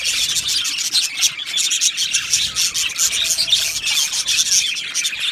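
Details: A colony of budgies in an aviary chirping, with thick high-pitched twittering and rasping notes running without a break.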